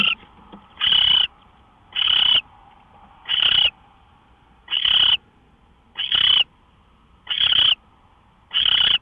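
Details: Live-camera owl before dawn on March 24, 2013, 5:27 AM, making evenly spaced harsh hissing screeches, about seven bursts in nine seconds, with a faint low tone in the background.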